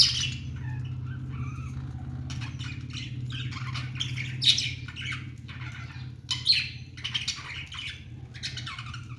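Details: Budgies chirping and singing, said to sound happy: short, spaced bursts of harsh squawky chatter with a few sharp clicks, over a constant loud low mechanical hum.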